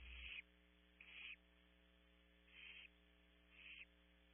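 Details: Barn Owl owlets at an Audubon Starr Ranch nest in California, begging hungrily on camera. Four short rasping hisses, each under half a second, spaced about a second apart, with constant mains hum beneath.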